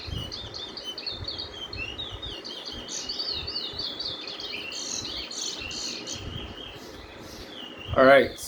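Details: Chestnut-bellied (Lesser) Seed Finch singing the Guyanese song type: a continuous run of warbled, drawling phrases with no sharp 'wheat' note; other birds chirp in the background and a louder call ends it.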